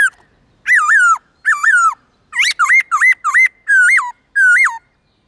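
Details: Many-voiced morning song of a black-throated laughingthrush, played to coach young birds in forest voices: a string of loud wavering, dipping-then-rising whistles, some doubled, in an even rhythm.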